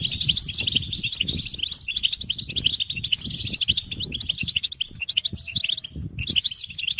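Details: European goldfinches chattering together in a stimulation recording to make males sing; a dense weave of high twitters and trills runs throughout over a persistent low rumble, with one faint drawn-out tone near the end.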